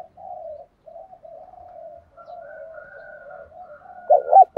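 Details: Spotted dove cooing in the thổ style as a lure bird: a long run of soft, low murmuring coos with faint high whistles, ending in one loud short double coo.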